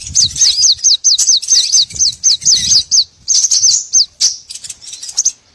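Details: Lure recording of small birds for trapping: a fast series of thin, high chirping flicks in quick bursts, pausing briefly before a denser run of twittering notes near the end.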